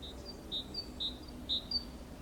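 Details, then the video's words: Great tit singing beside a nest box in Valencia on 24 April 2015: soft high two-note phrases, a higher thin note followed by a lower one, repeated about every half second over low background rumble. "Canto de carbonero común (Parus major)"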